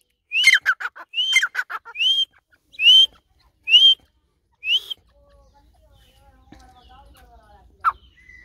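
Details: Grey francolin calling in a loud series of rising whistled notes. The first phrases trail into rapid falling chatter, and the later notes come as single upslurred whistles. The series stops halfway, leaving quiet background with faint other chirps.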